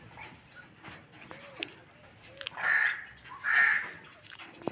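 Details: Young red golden pheasants of the 2024 breed, kept in aviculture: two loud, harsh, drawn-out calls spaced about a second apart, preceded by soft scattered clicks and rustling.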